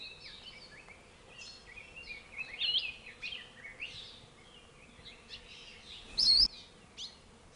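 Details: Endangered Hawaiian forest bird 'Akikiki: high, thin chips and short twittering notes, scattered irregularly and overlapping as if from several small birds, with a brief rustling thump near the end.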